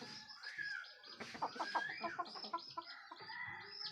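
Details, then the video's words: Roosters crowing as dawn approaches, heard on waking: a distant, faint crow mixed with rapid clucking and other fowl calls overlapping through four seconds. "SUARA AYAM BERKOKOK TANDA HARI SUDAH PAGI"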